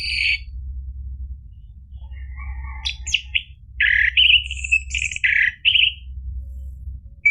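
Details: Orange-headed thrush song, a recording used to coax a silent caged bird into singing. A short high note opens, then loud buzzy and whistled phrases around the middle, with bursts of rapid rattling notes and a low steady hum beneath.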